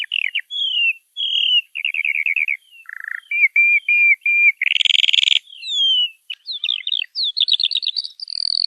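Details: Bird delivering a rich, varied song: repeated slurred phrases, a short trilled run, a brief harsh buzzy note midway, then sharp rising chirps and fast rattling trills, clear against silence.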